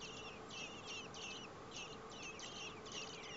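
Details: Four common blackbird nestlings begging in the nest as the parents bring food on a day above 30 °C: dense, high, scratchy chirps in rapid overlapping bursts, about three per second, over a steady low background hum.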